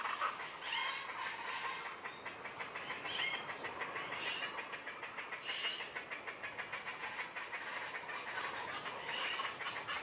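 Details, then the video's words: Common chachalaca in jungle trees in the Sierra Madre mountains along Banderas Bay, heard every morning: quieter rhythmic, scratchy rasping notes repeated in bursts about every two to three seconds. "Meet the Common Chachalaca (Loudest Bird on the Mountain?)"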